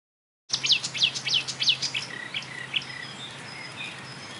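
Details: Marsh warbler singing at a railway embankment at Bernau-Friedenstal in May 2013, imitating other birds such as tit, blackbird, lark, goldfinch and starling. Rapid high twittering notes give way to thin whistled tones over a low steady hum.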